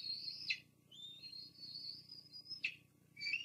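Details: Bald eagles at a nest at Fraser Point, filmed by live nest cam on 24 June 2022 as the female drops off food for her two young, which now feed themselves; high, thin, drawn-out whistles hold steady, then drop sharply, separated by brief pauses.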